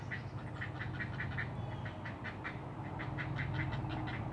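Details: At a Chesapeake Bay heron colony of up to 50 birds on 10-12 nests, a great blue heron gives quick ticking notes, about two and a half per second, over a steady low hum, early morning, June 2018.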